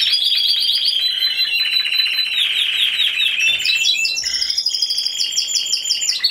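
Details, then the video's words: Timbrado Español canary in the C2 individual class at a judged song contest, November 2015. A loud, steady metallic roll is followed by brief lower notes, then renewed high rapid trills. "Καναρινιών Φωνής Timbrado Español"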